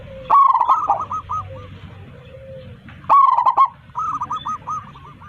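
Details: A big-voiced local zebra dove sings to summon its flock, giving two loud bursts of tumbling coos, each followed by a chain of softer, bouncing cooing notes trailing off.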